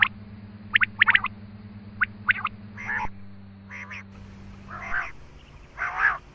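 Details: Quail call used as a hunting lure: opening clusters of quick rising chips, then broad harsh grating notes spaced about a second apart, with low hum.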